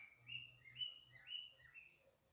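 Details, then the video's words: A male lovebird calling his mate to come inside gives four or five bright, whistled chirps about half a second apart, each sliding up or down, over a faint low hum. "Male calling her to come inside"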